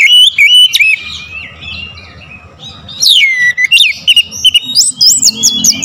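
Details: Oriental magpie-robin singing a powerful lure song: wavering whistles and clicks, a quiet gap, then steep descending sweeps and a fast run of looping high whistled notes.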